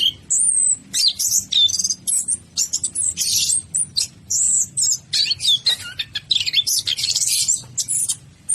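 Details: Orange-headed thrush in rich, rapid song: dense high whistles, slurs and scratchy notes packed closely, with a low rumbling background noise throughout.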